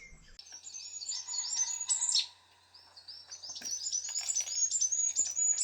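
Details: A Goldcrest in a dawn chorus on a UK smallholding sings very high, thin, rapid seeping notes in a busy twittering run, pausing briefly midway before resuming, over a faint low hum.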